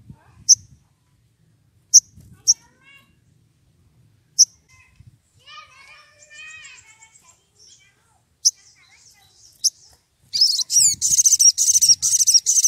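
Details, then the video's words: Brown-throated sunbird, agitated and calling for a rival, giving sharp high chips, a soft twittering phrase, then a loud run of rapid buzzy notes; faint voices murmur in the background. "Sogon emosi cari lawan"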